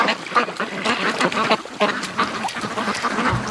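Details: Domestic ducks as the rest of the flock arrives at the lake during a morning feeding; a burst of repeated, overlapping quacks comes in short clusters from several birds.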